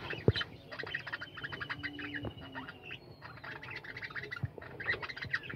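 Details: Budgerigar colony in captivity producing continuous warbling chatter, with sustained thin whistles and short chirps layered over one another and a couple of knocking sounds.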